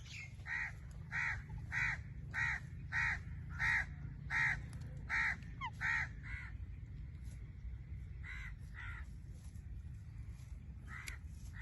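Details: Blue-fronted amazon parrot giving a run of harsh, nasal squawks, about ten in quick succession roughly every half second, then a pause and two more, over a low steady background hum.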